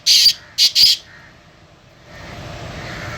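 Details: Black francolin (kala teetar, Sindhi pheasant), a bird offered for sale and said to call all day, gives three loud, harsh, rasping bursts within one second, followed by a steady low hum and background noise.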